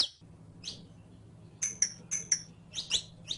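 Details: Saffron finch song meant for training a caged bird to sing: scattered high, thin chirps, then a quicker run of sharp paired notes in the second half, with steady low background hum.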